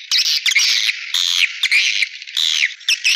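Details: Swiftlet calls used as a lure: loud, continuous shrill twittering with rising and falling buzzy notes, pulsing in waves about every half second.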